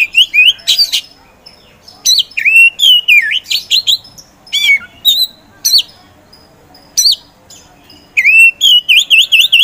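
An Oriental magpie-robin sings loud, varied phrases of rich whistles, slurred rising and falling notes and sharp chips, delivered in quick bursts with brief pauses.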